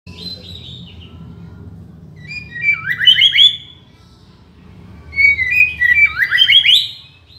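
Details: White-rumped shama song used as a master and lure recording: two bursts of rapid, rich warbled phrases with sweeping whistled notes, separated by a quiet pause, over a low steady hum.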